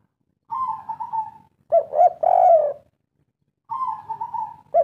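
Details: Local kuk 3 spotted dove: a rolling level coo, then two short notes and a drawn-out hoarse coo, in a phrase that starts again after a short silence.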